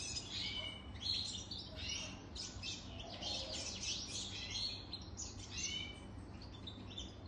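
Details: Adult European goldfinch, more than three years old, delivering a continuous, slightly distant-sounding twitter of bright chirps, buzzy notes and rippling trills, with a low background hum throughout.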